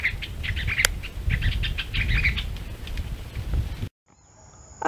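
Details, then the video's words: Masked water tyrant, a Caatinga bird also found near urban areas and sewage, vocalizing: a quick run of short, sharp chirps for about four seconds over a steady low rumble of wind or handling noise, then a sudden cut. "agora vamos mostrar a lavadeira mascarada e também a sua vocalização"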